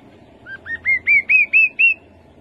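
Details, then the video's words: One rufous-capped babbler song phrase: seven evenly paced, sweet upslurred whistles, starting low and soft and climbing note by note to a louder, higher finish, over a quiet, faintly humming background. "Khướu bụi đầu đỏ. tiếng khướu đầu đỏ"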